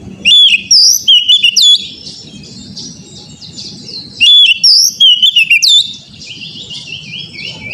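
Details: Oriental magpie-robin song played to make an untrained young bird sing: lively bursts of sweet whistles, high slurred notes and chattering trills come in two groups, with low background rumble between them.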